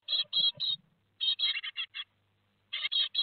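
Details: Great tit nestlings, 15 July 2020 at Théding, two days before leaving the nest: groups of three to five harsh high chirps separated by quiet pauses of about a second.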